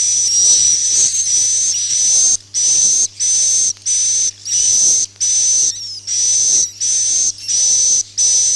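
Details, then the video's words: Swiftlet calls in the Akau ngaji style: shrill, hissing chirps with a thin whistled tone, about eleven bursts in steady succession separated by brief gaps, over a faint low hum. "suara walet Akau ngaji Original"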